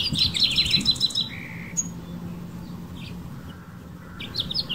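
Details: California backyard, male House Finch on a garden branch calling to females: a short rushed warble ending in a buzzy note, then near silence and a few faint chirps toward the end.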